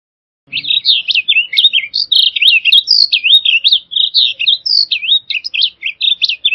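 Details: Blue grosbeak singing a long, rapid, unbroken warble of slurred, up-and-down notes, bright and sweet, running about six seconds without pause; a faint low thump at the start, otherwise clean background.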